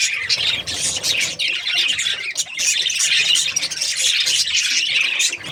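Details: Several budgies chirping together in an unbroken stream of high, scratchy warbles and quick tweets, loud and busy from start to finish.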